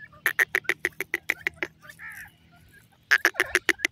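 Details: Golden teetar partridge calling naturally: a fast burst of harsh, clipped notes, about four per second, then a brief pause with a soft warbled note before another rapid harsh burst.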